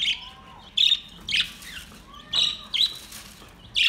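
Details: Budgies singing in a relaxed way, giving bright clipped chirps in separate bursts roughly every half second to second, some with a buzzy edge, over a faint low hum.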